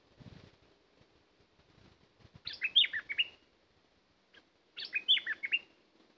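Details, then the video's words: Two matching bubbly phrases from a decoy bulbul, each a cluster of about six clear whistled notes, spaced roughly two and a half seconds apart, after a brief low thump. "Burung merbah lekir bay hoach thom gacor bahanan"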